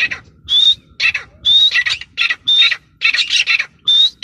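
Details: Teetar, a grey francolin, gives loud, separated calls about once a second. Each pairs a pure, rising whistle with rasping, hoarse notes, against a quiet background.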